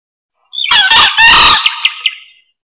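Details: Green junglefowl giving a harsh crow for luring: a rough, hoarse call in a few quick segments, followed by three short, clipped notes as it fades.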